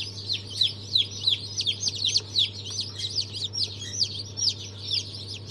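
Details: Chorus of newly hatched chicks (Brahma, Fizan, Australorp, Legbar) from a 3 March 2023 hatch: rapid, overlapping shrill cheeps, each sliding downward, several per second, with a constant low hum beneath.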